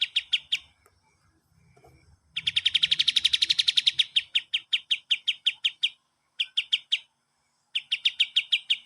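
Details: Kapas tembak song recorded as training material for cage birds: short runs of crisp repeated chips, then a loud rapid rattling trill that slows into evenly spaced chip notes, broken by brief gaps. Faint low rumbling sounds early on.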